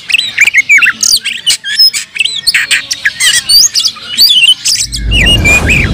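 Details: Fighting oriental magpie-robin song to provoke emotion, rapid sharp whistles, squeaky upslurred notes and scratchy bursts in a continuous tumble, ending with a low rumbling noise under the singing.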